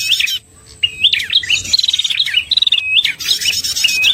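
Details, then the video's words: Old red-headed prinia lure call: a bright chirp, a short pause, then bouncy hooked notes mixed with a clipped ticking trill and a level buzzy tone, fading into more chirps. "suara pikat prenjak paling ampuh, simpanan lama dari pemikat terdahulu cocok untuk pancingan prenjak"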